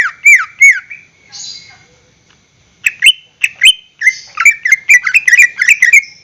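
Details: Caged greater green leafbird song used as a lure: two looping whistles, a soft buzz and pause, then an accelerating jumble of sharp chirps and twittering notes.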